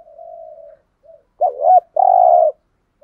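A Spotted Dove gives low, hollow coos, a soft drawn note and a short one, then two louder, throaty coos in quick succession.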